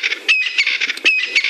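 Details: Crested Francolin at dawn on a cold June morning in the African bush, among other calling birds: harsh, rattling, squawky notes in quick bursts, several per second, bright and high-pitched.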